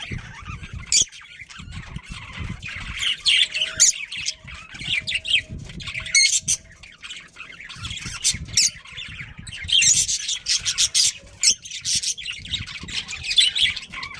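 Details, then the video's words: Home-kept budgerigars chatter continuously in a busy mix of scratchy warbles, squawks and high chirps, several birds overlapping, over a low background rumble. "cute budgie chirping sounds"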